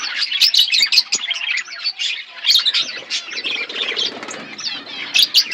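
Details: An aviary colony of budgerigars in a forest environment warbles in lively bursts of rising and falling chirps and high twitters, with brief pauses between flurries.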